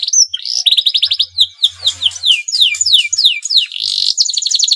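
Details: Male canary in breeding condition, singing to stimulate rival canaries to sing: fast rolling trills and rapid descending whistled sweeps, repeated in quick series, with brief buzzy rattles between phrases.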